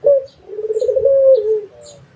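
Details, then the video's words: Dove, called puter in Indonesia, calling persistently: a short opening note, then a low, throaty, rolling coo held steadily for over a second before tailing off, with faint high chirps from other birds in the background. "SUARA BURUNG‼️ PUTER GACOR"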